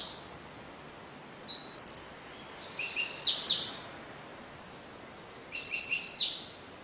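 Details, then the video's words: Cigano-style singing by a double-collared seedeater. Scattered high chips build into phrases of stacked whistles that finish in loud descending buzzy slurs. Two phrases are heard about three seconds apart, and the bird averages 30 songs per minute. "Coleirinho Cigano Sporophila caerulescens Coleiro Média de 30 cantos por minuto"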